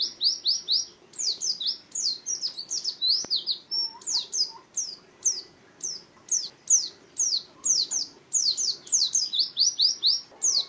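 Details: Long ngalas-style performance by an Oriental white-eye, with sustained high twittering of fast slurred notes, dense at first, then spaced phrases and a couple of soft lower chips, over a quiet background.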